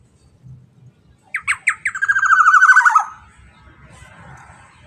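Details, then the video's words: Black-naped oriole after a short silence: several spaced, sharp introductory notes, then a fast raspy rattle falling slightly over about a second and a half, fading into quiet with faint low background noise. "Suara UNnik Burung EKSOTIS KEPODANG EMAS GACOR"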